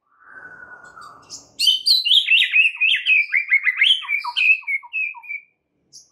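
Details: White-rumped shama song played to lure other shamas into singing: a soft falling whistle, then a dense burst of rapid varied chirps and slurred notes that slows and stops.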